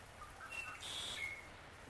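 Painted bunting giving a few faint, thin whistled notes at shifting high pitches over about a second, against a soft background hiss.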